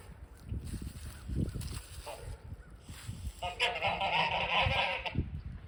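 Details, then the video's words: Snow geese calling near a front porch: low rumbling noise at first, then a burst of overlapping nasal honks in the second half, with steady background hiss. "Snow Geese Making Noise"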